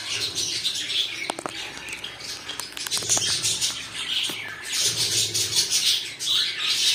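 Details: Cockatiels kept as pets chirp and squawk in overlapping uneven bursts, with sharp clicks and flapping wings mixed in.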